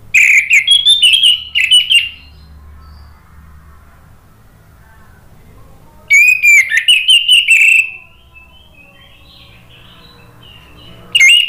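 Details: Lure song of an orange-headed thrush meant to get birds answering: fast runs of clear, warbled whistles sliding up and down, in bursts about two seconds long with several seconds of quiet humming background between.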